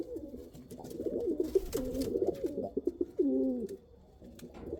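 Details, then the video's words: Domestic pigeons, Kal Cheeni and Rampuri breeds, cooing in low rolling, wavering phrases, several overlapping birds with brief gaps, faint clicks and rustling around them. "Pigeon sound | kal cheeni kabutar sound | Rampuri kabutar sound"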